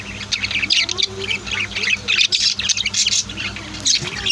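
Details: Pet budgies and lovebirds kept at home, a busy chorus of overlapping sharp chirps, squawky chatter and twittering notes from several birds at once, with a steady low hum underneath.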